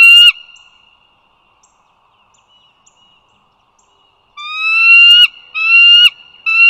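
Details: Bald eagles by the Dulles Greenway toll road, northern Virginia, 08:55 on 16 April 2022: a clipped note at the start, four seconds of near quiet, then three upslurred whistled calls in quick succession.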